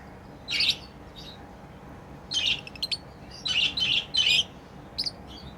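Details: Lovebirds at play chirp in harsh, rasping bursts: one call, a pause, then a rapid cluster of four or five scratchy chirps in close succession.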